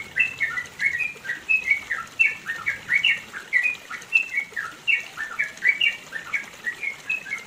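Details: Yellow-vented bulbul recorded around the mountains of East Java, Indonesia, giving a long rapid 'ropel panjang' song meant as a master for training other songbirds: bubbly, warbled two-to-three-note phrases repeated almost continuously, each about a third of a second apart.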